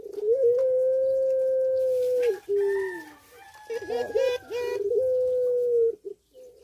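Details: Breeding-condition puter pelung dove in captivity at Sukorejo: a very long, steady coo of about two seconds, a falling slur, then bubbling notes and another sustained coo, with faint background bird chatter.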